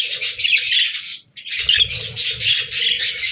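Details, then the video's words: Budgerigars singing: dense, buzzy warbling chatter with quick chirps, broken by a short pause just past one second before the busy twittering resumes, with low soft thumps beneath. "Budgies Singing"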